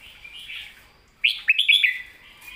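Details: Red-whiskered bulbul in the 'master song' style: a quiet warble, a short pause, then a loud burst of clear, lilting whistled notes that rise and fall quickly.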